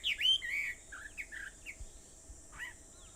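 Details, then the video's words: Dawn birdsong at 4:30 a.m. on Aobayama, Sendai, 21 July 2014: a loud burst of varied chirps opens, then softer, scattered short whistled notes with gaps between them, and a constant high hiss behind. "Sound of Birds on Aobayama, Sendai, 2014.7.21 (4:30)"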